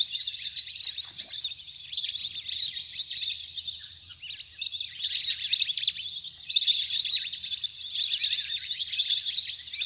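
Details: Large wild flock of ducks playing on the water, recorded naturally: a dense, continuous chorus of shrill overlapping whistles and twitters that swells and fades in waves, with no other sounds.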